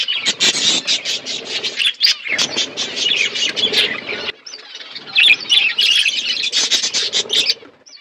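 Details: Budgerigars in a flock eating winter food in Asia; chattering squawks and chirps in dense runs, a short near-silent break around the middle, then the twittering chorus resumes.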